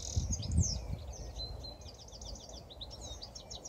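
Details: Goldfinch singing from a TV aerial in spring 2017: rapid high tinkling twitters and buzzy trills, faint and run together, over steady low rumbling background noise.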